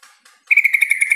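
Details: Yellow-vented bulbul calling, used to lure a quiet kept bird into answering: faint soft notes, then a fast run of about eight sharp, bright chirps delivered evenly in under a second.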